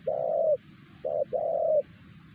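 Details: ['Wild spotted dove calling strongly at a trapping site in Siosar, its voice said to silence a decoy bird. A short low coo, a pause, then a short note and a longer, purring coo.']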